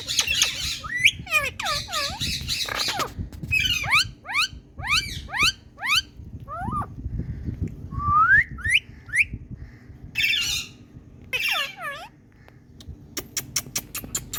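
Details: Indian talking parrot kept as a pet, producing repeated harmonic whistles and squawks that sweep up and down in pitch, in quick series with short pauses, over low background hum.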